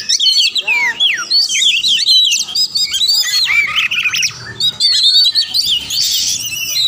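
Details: Oriental magpie-robin song used to provoke silent rival birds into answering and fighting: loud, dense stream of rapid whistled slurs and rising and falling notes, with harsh buzzy bursts mixed in.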